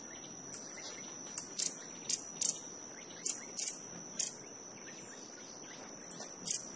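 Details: A Violet-headed Hummingbird feeding and vocalizing at Altos de Cerro Azul, Panama, gives sharp, high chips, single or paired, at irregular intervals about every half second to second, over a steady high insect whine.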